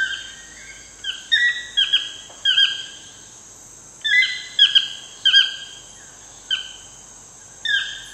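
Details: At sunset in Costa Rica, a wild toucan repeats strident, slightly falling yelps, singly and in pairs, spaced about a second apart, against an unbroken high-pitched insect chorus.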